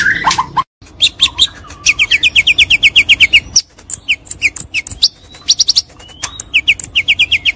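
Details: Champion white-rumped shama singing vigorously as training material: a fast varied song of bright whistled notes, rapid trills repeated about every third of a second, sliding high whistles and chattering phrases after a brief gap.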